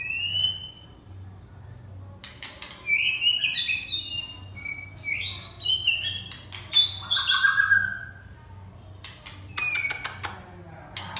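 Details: Red-whiskered bulbul giving fluty, slurred whistles and brief warbled phrases separated by pauses, with bursts of sharp clicks and a low background hum.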